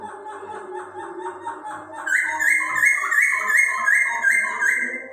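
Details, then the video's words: Chinese hwamei song played to stimulate other birds' breeding urge: softer repeated phrases, then loud clear whistled notes, each rising and repeated about three times a second, in a small room. "Poksay Hongkong Suara Unik Cocok Buat Merangsang Birahi Burung Anda"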